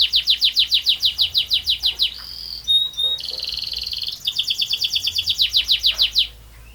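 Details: Singing canary delivering a long rolling song: rapid repeated downward-sweeping notes, a brief held whistle and a few sharp pips, then another long, even, buzzy roll of high trilled notes.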